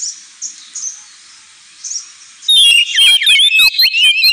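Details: Oriental magpie-robin in ngemplong-style song for pet-bird training: faint distant notes at first, then the bird bursts into loud, clear whistles and rapid, twisting phrases for the final two seconds.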